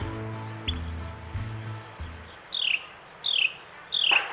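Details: A male Carolina wren at a backyard feeder during the first winter snowstorm sings near a blue jay: three loud, clear downslurred whistles about 0.7 seconds apart, each falling sharply, after a stretch of soft background music.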